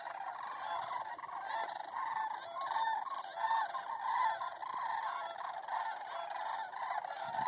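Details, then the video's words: Many sandhill cranes resting in a pond near Bosque del Apache, New Mexico, give loud rolling, bugling calls that overlap in a steady chorus, with a few clearer trumpeting notes standing out now and then. "Sandhill Cranes"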